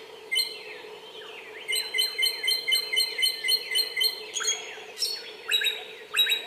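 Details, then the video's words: Bar-winged prinia singing in the wild: a lively series of bright, descending whistled notes, roughly two per second, with a steady low hum underneath. "Burung Samyong Gacor Bernyanyi Di Alam Suara ngotot pedesse"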